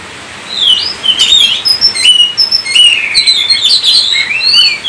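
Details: After a brief quiet start, an Oriental magpie-robin launches into varied song: looping whistles, rising slurs and crisp clicks, followed by a rapid warbling stream of notes.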